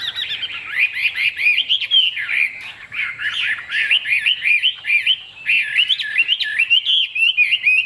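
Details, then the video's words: Loud, fluent song from a caged Chinese hwamei with a fig-leaf tail: a long chain of looping, wavering whistles that swoop up and down continuously, with short rhythmic breaks between phrases. "Họa mi đuôi lá vả bóng bộ đẹp hót hay"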